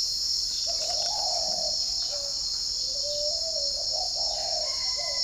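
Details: Morning cooing from a spotted dove at a bird garden in Ba Vì district, Hanoi, with wild birds calling back. Soft, low coos run in a loose, uneven string. A thin whistle appears near the end, over a steady shrill insect hum.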